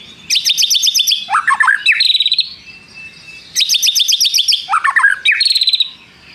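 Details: Two matching phrases of white-rumped shama song with mimicked prinia trills. Each phrase starts as a fast, high ringing trill, dips into low slurred whistles, then ends in another long buzzy trill.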